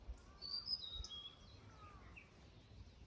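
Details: Blue-and-white flycatcher singing at Yahata Falls in the Rokko Mountains on 8 April 2026: clear high whistled notes sliding up and down, fast and varied, then fading phrases, over a steady low rumble.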